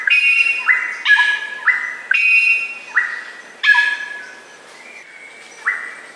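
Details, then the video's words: Greater racket-tailed drongo (Dicrurus paradiseus) sings loud, ringing phrases that mix harsh nasal notes with flat, metallic whistles, about one phrase per second. "Suara Burung Srigunting Batu (Greater Racket-Tailed Drongo)"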